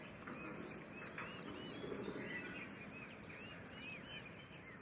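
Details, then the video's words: Captive female Fischer's lovebirds, blue and pastel blue, separated from their male partners for the morning, chirp in a busy chorus of sharp, rising notes overlapping several times a second over a steady hiss. "bird Chirping Sounds - Blue Fischer & Pastel Blue Fischer"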